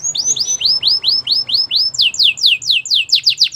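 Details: A Spanish Timbrado canary delivers a rapid, regular string of bright downslurred whistles, slightly faster and sharper in the second half, over a faint low background hum.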